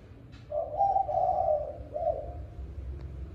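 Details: Spotted dove cooing in the evening at feeding time: one mellow, low coo phrase of a few notes, a drawn-out wavering middle and a short separate final coo, over a faint low hum.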